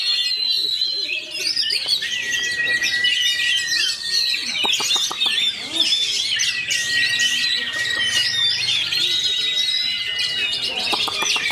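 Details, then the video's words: Caged white-rumped shama from a fighter line, singing a fast, dense rolling song: rapid twittering and whistled phrases packed closely, with a long steady whistle near the middle and brief clicking bursts. "KACER ROLL SPEED RAPAT"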